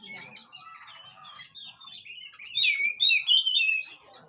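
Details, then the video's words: Singing oriental magpie-robin (kacer), used to coax a bird that has gone quiet: rapid thin whistles and twitters, then a loud run of rich, swooping whistled phrases in the second half. "Panggilan untuk burung Kacer yg mandek"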